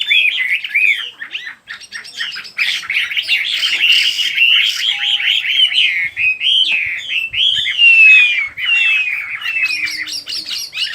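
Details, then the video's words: Singing bird, a sound for a peaceful mind; fast chattering twitters and chirps, with a long clear descending whistle near the eighth second and a quick burst at the end. "Chỉ có nghe chim hót là tâm hồn thanh thản nhất."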